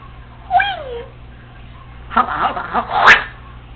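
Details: Congo African Grey Parrot, female, alone at home: a bending whistle-like note, then garbled speech-like chatter ending in a sharp click.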